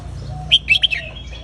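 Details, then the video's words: A single short phrase from a caged red-whiskered bulbul's counted song: four quick, bright whistled notes in under half a second over faint background warbling. "นกกรงหัวจุกนับดอก วนเพราะๆ หน้าฟัง ยั้วนกฟังนกร้อง"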